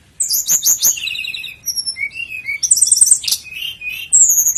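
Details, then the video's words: Flycatcher known locally as sikatan londo, song used for training caged birds: rapid high chirps and trills, thin whistled notes and short buzzy runs, switching pitch every fraction of a second with brief pauses between phrases. "masteran burung sikatan londo"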